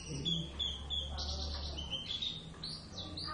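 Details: Oriental white-eye pair of the Javan subspecies in practice duet singing: sustained high thin whistled notes and quick chirps run together, with a low hum beneath.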